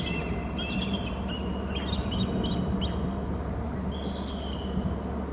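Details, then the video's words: Bald eagle in its nest territory on Hornby Island, recorded by a fixed nest camera as it moves from the right to the crook area: thin, high chirping notes in short broken series, then a longer drawn whistle, over a steady low hum. "eagle from the right to the crook area and calls heard"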